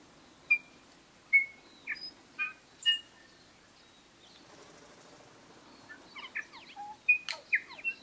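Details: Bellbird (korimako) singing in native scrub and bush near Greymouth, New Zealand, on 8 April 2023: spaced, pure bell-like whistled notes about every half second, then a quicker cluster of sliding notes after a pause.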